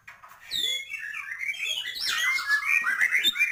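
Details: White-rumped shama in energetic song, full of mixed filler phrases: dense overlapping twitters and warbles, quick rising and falling slurs, and a steady stream of notes with no pause.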